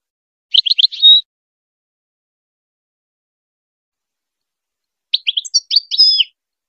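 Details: Goldfinch on a song recording for teaching hybrid chicks, giving two short bursts of high, rapid twittering notes about four seconds apart, with silence between.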